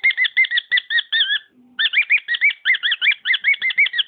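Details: Pet cockatiel song of clipped whistled notes, broken by a short pause with a faint low hum, then resuming with strongly rising whistles.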